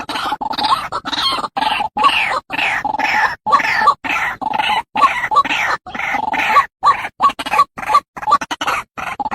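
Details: White-breasted waterhen (Amaurornis phoenicurus) call used as a lure recording: harsh, grunting croaks, about three per second, in choppy runs broken by short abrupt silences.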